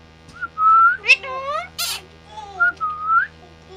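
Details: Talking parrot mixing clear whistled notes with bending, speech-like tonal syllables and one sharp noisy squawk in the middle.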